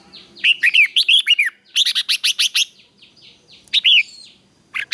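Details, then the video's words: Red-whiskered bulbul giving a morning fighting song, used to train birds and stir newly caught ones into full singing. Loud bursts of bright, warbling whistled notes come in quick runs of rising and falling slurs, with short pauses between phrases. "Luyện chào mào hót sáng | chào mào hót đấu"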